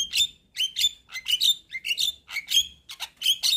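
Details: White-eyed Javan myna, nodding its head, in chattering song meant to coax silent mynas: rapid, continuous sequence of harsh squeaky notes and bright upward-slurred whistles, evenly spaced.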